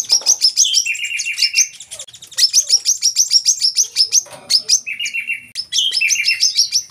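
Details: Sunbird song played as a lure for captive birds: lively, varied phrases of high chirps stepping down into slightly lower trilled runs, repeated with little pause.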